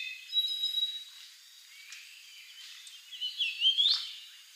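Golden-crowned warbler: a thin, high, steady whistle, then after a pause a brighter phrase of sliding, rising and falling notes. Faint chirps in the background.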